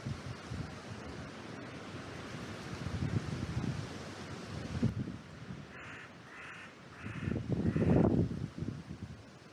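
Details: Wind gusting through an oak tree in a cemetery, picked up by a trail camera, with a quick run of four short, rasping crow caws near the end, partly masked by a loud rush of wind.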